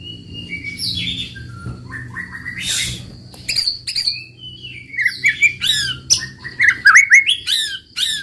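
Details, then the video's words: White-rumped shama (murai batu) in roll tembak song, starting softly with scattered whistles and chips over a low hum, then building into louder rapid rising and falling whistled phrases near the end. "muraibatu roll tembak ajib bikin lawan naik emosi dan ikutan gacor"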